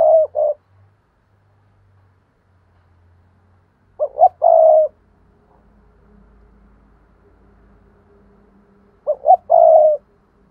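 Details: Spotted dove in 'thúc' coo style, used as a lure to provoke wild doves; low mellow phrases repeated roughly every four to five seconds, each with quick short notes before a sustained coo, faint low hum between.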